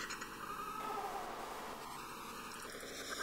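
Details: Female common pochards (Aythya ferina) in winter, Aiguamolls Natural Park, Spain, 27 January 2022, give three drawn-out, nasal notes, each under a second long, over a steady background hiss.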